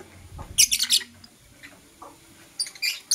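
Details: Morning chirping from blue opaline and euwing opaline lovebirds kissing: a rapid cluster of shrill, scratchy chirps, a quiet pause with soft peeps, then another burst of harsh high chirps at the end.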